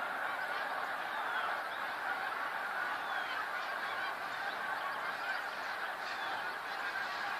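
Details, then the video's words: A huge flock of snow geese on 28 February 2013 produces a seamless, even blanket of nasal honking from countless birds calling together. "Attack of the snow geese!"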